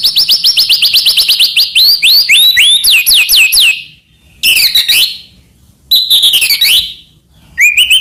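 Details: Medan white-rumped shama in full song, rich in mimicked phrases, played as a master to provoke other shamas; a rapid run of high rising notes about four per second, then separate bursts of scratchy, sliding phrases between short pauses.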